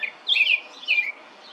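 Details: A brief European robin phrase: two close bursts of high, twittering, slightly descending whistled notes, clear and bright, followed by a softer thin note fading out.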